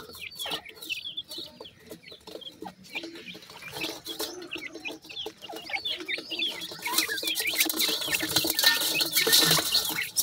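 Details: Sindhi partridge chicks in Pakistan give dense, high downslurred peeps. Hissing noise builds and grows louder toward the end, partly covering the calls.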